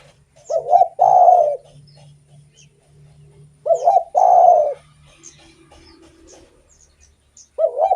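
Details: Spotted dove singing actively, used to stimulate other doves: repeated coo phrases roughly every three and a half seconds, each a stuttered double coo then a long husky note. A low hum and faint clicks sit behind.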